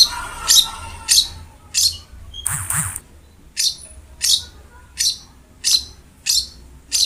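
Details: Cendet, the long-tailed shrike, singing in a recording meant to prompt a quiet cendet into song: a steady series of high, clipped chirps about every 0.7 seconds, broken once by a brief rushing burst.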